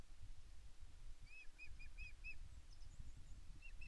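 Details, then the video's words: At Loch Arkaig Nest One on 5 May 2024, a female Osprey on the nest begs her mate for fish. Five or six clear, arching whistles come quickly in a row, then a few fainter notes follow, all over a constant low wind roar. "Aida calls for fish but Garry LV0 just ignores her on Loch Arkaig Osprey Nest One"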